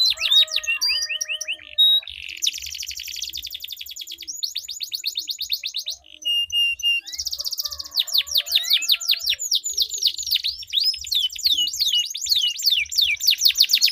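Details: Duelling canaries in long rolling song, played to coax jammed canaries into singing: a varied run of rapid trills, buzzy rolls and sharp slurred notes, changing tour every few seconds with brief pauses.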